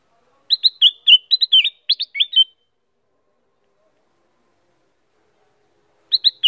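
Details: Female Black-crested bulbul singing actively: a quick two-second run of bright, liquid whistled notes, then the phrase starts again after a pause, against a quiet background.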